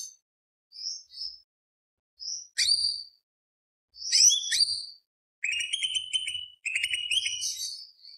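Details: Greater green leafbird singing a lure song in the tembak beset roll style meant to stir other birds: thin whistled notes at first, then loud sharp chirps and rapid rattling trilled phrases toward the end.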